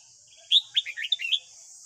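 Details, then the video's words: White-cheeked red-whiskered bulbul in morning song, a recording for training newly caught young birds: a loud bright opening note followed by a fast chattering string of warbled, slurred whistles, with a steady high-pitched hiss behind. "Luyện giọng chào mào hót sáng"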